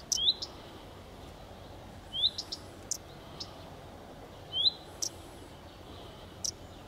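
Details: Common redstart calling: short rising whistled notes, each followed by a faint tick, repeated roughly every two and a half seconds over steady background noise.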